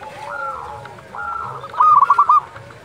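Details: Zebra dove of a local strain calling at dusk: soft, drawn-out coos from a distant bird, then a short, loud burst of five quick stuttering notes.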